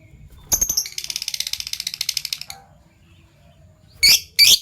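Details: Caged Fischer's lovebirds, a PB violet and a euwing gold opaline, in the morning: a rapid rattling run of high chirps lasting two seconds, then silence and two loud harsh screeches close together.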